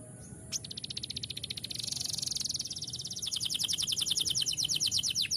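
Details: Canary song: long rapid trills of high notes, first a dense rolling run, then a steadier, louder series of repeated sharp pulses about three or four per second-fraction, building in strength toward the end; faint low background hum.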